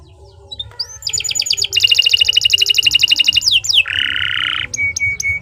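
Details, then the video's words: Caged canary in long unbroken song, kept as a training recording for young birds: a fast rattling high trill of pulsed notes, then a steady lower buzzy rolled note, ending in a few sharp upslurred chips. "Kicau Burung Kenari II GACOR PANJANG Cocok untuk Masteran"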